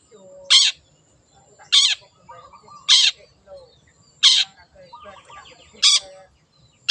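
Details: Wild long-tailed shrike giving loud, harsh rasping bursts roughly every second, with softer chattering and warbled notes in between.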